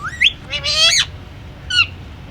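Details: Pet Indian ringneck parakeet talking: a rising squeal, then a loud harsh harmonic squawk that climbs and breaks off, and after a pause a short shrill call sliding downward.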